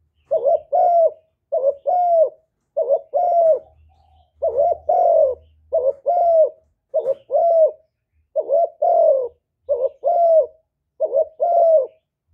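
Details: A spotted dove gives soft, hollow coos in quick paired bursts, again and again, a full calling and cooing sequence used to stimulate captive doves to sing.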